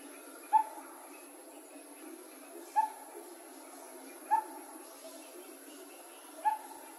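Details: One of two coppersmith barbets filmed in 2020, giving four hollow, metallic 'tuk' notes at an unhurried, uneven pace, roughly every two seconds, over a faint steady high hiss.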